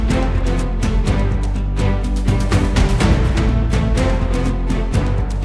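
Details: Loud instrumental theme music with steady percussion and timpani-like booms fills the whole stretch, with no animal voices.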